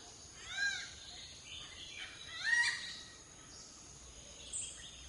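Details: Malabar grey hornbill, a Western Ghats endemic of dense forest, giving its loud cackling, laughing call: two harsh, arching bursts about two seconds apart over a steady high insect hiss and forest background.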